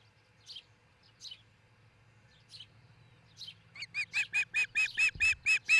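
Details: Osprey at its nest near Charlo, Montana, on a nest camera at dawn, 22 June 2018: a few faint, high, separate chirps, then a loud fast run of sharp whistled chirps, about five per second, over a low steady hum.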